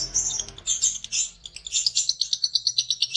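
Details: Lovebird in lively form, singing in the ngekek style with open beak: dense, shrill, high chirps and squeaks, then a fast, even string of sharp repeated notes, about six per second, over a faint low hum.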